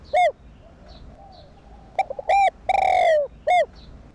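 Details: Spotted dove cooing, played to stimulate other doves to coo: low hollow coo notes, including one long drawn-out coo, sounded in a short series over faint background hiss.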